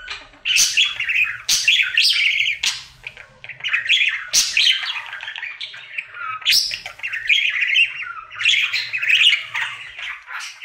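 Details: Singing male budgerigar, a pet, during his daily singing routine: rapid chattering bursts of chirps and harsh squawky notes, each phrase starting with a sharp click, separated by brief pauses.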